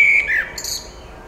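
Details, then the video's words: Common blackbird singing on 23 May 2021: a short phrase, a clear fluted note sliding down, then a thin, high, scratchy twitter to close. "blackbird - singing"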